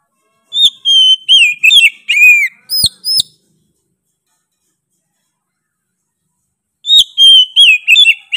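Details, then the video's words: Oriental magpie-robin delivering a short run of loud whistled, slurred notes and fast chips, then falling silent for over three seconds before starting another bright whistled phrase. "KACER GACOR NGOTOT PEDES SUARA NYA GA DA AMPOON"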